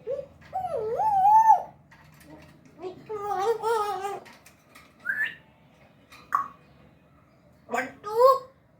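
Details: African grey parrot talking in Urdu and Hindi: tonal, wavering whistled phrases and speech-like syllables in short bursts, with rising and falling harmonic notes separated by pauses, in a small indoor room.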